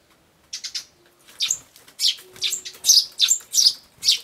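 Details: Adult and young sparrow squabbling, filmed 13 June 2012: loud, harsh, high chirps in quick irregular succession, about two per second, some rising sharply, with faint wing movement.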